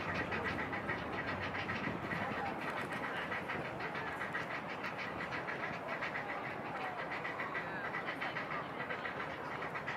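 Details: Young grey herons in a nest on an island pester a parent until it flies off, keeping up a dense, harsh, clattering chatter of about three to four pulses a second, a rough mechanical racket with no pause.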